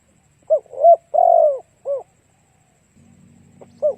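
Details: Spotted dove used as a lure for other doves gives one full cooing phrase: short hoot, rolling double coo, long falling coo, then a clipped final note, followed by a low rumbling hum and another short hoot.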